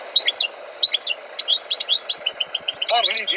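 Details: Trained European goldfinch, North African, giving short high twittering phrases that build into a quick series of bright, repeated notes. A human voice cuts in near the end.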